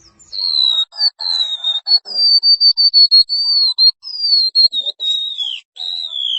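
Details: White-eye training song for caged birds: a long chain of clear, high whistled notes, each held briefly and gently falling or wavering, linked with short gaps, with soft lower twitters at the start.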